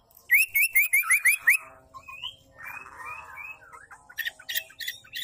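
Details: Female white-rumped shama sound meant to make males sing and become aggressive; a fast string of rising, ringing notes opens, followed by softer warbled twitters and scattered high chips.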